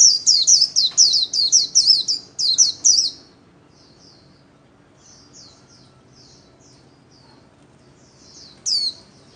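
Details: Caged white-eye singing solo during daily practice: a loud run of high, rapid, slurred chirps for three seconds, then soft scattered twitters and one final bright note.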